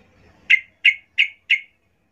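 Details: Yellow-vented bulbul female calling to males, used as a lure: four loud, harsh chip notes, evenly spaced about a third of a second apart, in a quiet setting.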